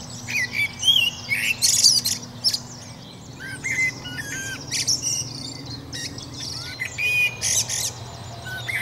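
Common blackbird: bursts of high, thin chirps and short squeaky notes come in quick irregular runs, with a steady low mechanical hum underneath.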